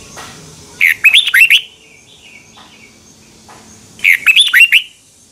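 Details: Red-whiskered bulbul singing morning song, used as a lure recording to train other bulbuls: two bright, rollicking phrases of quick, looping whistled notes about three seconds apart, with faint softer chirps between.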